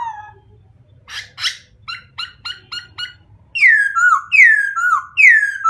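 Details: White-crested laughingthrush song: a low whistle, two harsh bursts, a string of short clipped notes, then three loud descending whistled phrases about one per second. Soft hum below.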